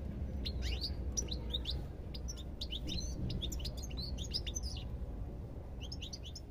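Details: European goldfinch delivering a lively, tinkling song of fast high notes and swooping chirps for about five seconds, a short gap, then another brief flourish; faint low rumble underneath.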